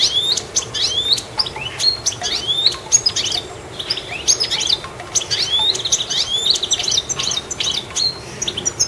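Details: Goldfinch perched on a treetop, chirping busily: a continuous run of bright, high twittering notes, quick rising and falling chirps and short liquid trills packed closely together over nine seconds, with faint background hiss.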